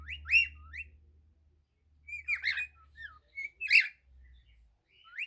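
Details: Cockatiel singing, a run of short whistled chirps and upslurred notes, some buzzy and rough, spaced irregularly over a steady low hum.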